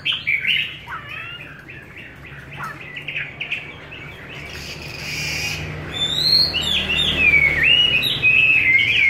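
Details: Chinese hwamei with a wild-type voice, fed homemade bird feed: varied scratchy warbled notes at first, then from about six seconds a loud, clear run of looping whistled phrases that rise and fall, rich and continuous to the end.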